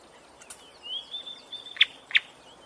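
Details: A bird gives a thin, drawn-out whistle at a steady high pitch, broken by two sharp, loud clicking notes near the end, over faint background hiss.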